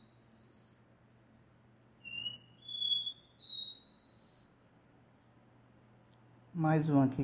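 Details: Caboquinho, a double-collared seedeater from a breeder, sings its classic "dó ré mi" repeating song: six clear, slightly falling whistles at shifting pitches roughly a second apart, then a man starts speaking Portuguese.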